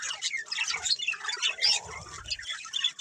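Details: Pet budgerigars chirping while playing together; rapid scratchy squawks and chirrups overlap in a constant chatter, with a faint low rumble in the background.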